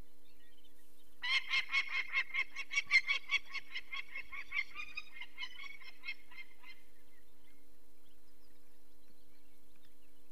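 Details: Female peregrine falcon at a nest in the Barycz Valley, Poland, 2 May 2023, alarmed as people remove one of four chicks with eye problems: a run of harsh, harmonic kek notes that slowly fade over about five seconds, with steady low hum behind.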